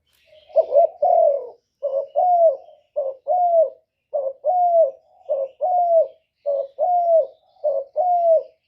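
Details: Spotted dove calling as a trapping decoy to pull in wild doves: a steady run of seven paired coos, a brief soft note then a fuller, falling hoot, repeated at an even pace of roughly one pair per second.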